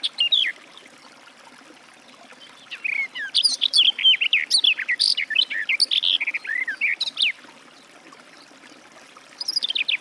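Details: Garden warbler (Sylvia borin) song: a brief opening phrase, a pause, then a long hurried stream of mellow warbled notes, quiet again before a short final burst.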